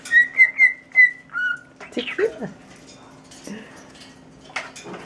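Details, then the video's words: Pet cockatiel whistling part of the tune "Tequila": four clear, bright notes and a lower closing note, followed by scratchy, squeaky noises and a faint hum. "cockatiel singing "Tequila""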